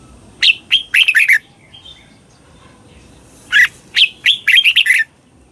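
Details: Thai Red-whiskered bulbul delivering a slow, clear doubled song in southern master style, used to teach young birds: two bright phrases of quick, sharp whistled notes, separated by a pause of about two seconds.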